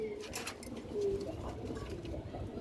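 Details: Pigeons kept on a rooftop give low, soft cooing notes over a steady background hum.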